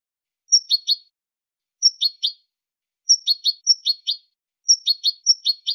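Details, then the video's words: European goldfinch giving basic song phrases, the style called quejas y adornos: a high thin whistle followed by two or three quick twittering notes, repeated in bursts with short silent gaps, clean and without background noise. "CANTOS BASICOS DEL JILGUERO ** QUEJAS Y ADORNOS"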